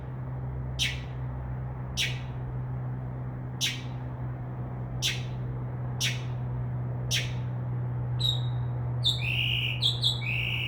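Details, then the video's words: Night-singing Northern mockingbird in a tree by a window, imitating crow, dove-wing and dog-like sounds; a series of sharp dry clicks about once a second, then a burst of rapid varied chirps and whistles, over a strong steady low hum. "mocking bird makes crow sound, dove wing sounds and others"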